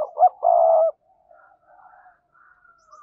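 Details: Decoy spotted dove giving a short coo then a long, steady hooting note, followed by faint distant cooing.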